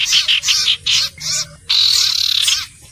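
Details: Common iora song: bright, buzzy phrases in short bursts of about half a second, separated by brief pauses, ending in a longer rolling, trilled phrase.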